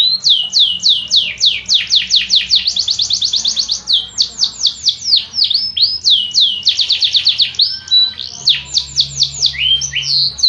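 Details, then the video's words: Sustained canary singing: repeated bursts of quick falling notes alternate with fast trills and a few clear slurred whistles, flowing almost without pause. "تغريد مع جميع أنواع طيور الكناري"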